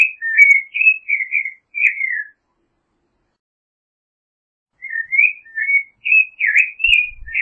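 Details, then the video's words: A Creamy-bellied Thrush sings two bursts of quick, varied whistled phrases with slurred and warbled notes, separated by a pause of about two and a half seconds. Faint low knocks are heard near the end. "Zorzal Chalchalero Canto - Creamy-bellied Thrush Song"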